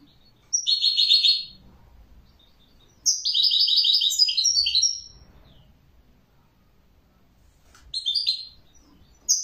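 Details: European goldfinch song: short high twittered phrases separated by quiet gaps, including a long liquid, buzzy-edged run of about two seconds, followed later by brief tinkling notes; quiet low hum underneath.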